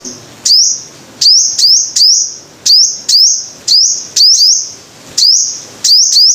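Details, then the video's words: Five-coloured sunbird singing: sharp, high, ringing notes that drop and then rise, given in quick pairs and singles about every half second to second, each with a bright lingering tail, over a faint low background hiss. "Tiếng chim hút mật 5 màu"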